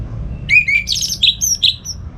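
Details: Orange-headed thrush, a caged bird kept at home, singing in the morning as a training model for other songbirds; a brief run of varied whistled notes, some sliding down, others high and clear, over faint low hum.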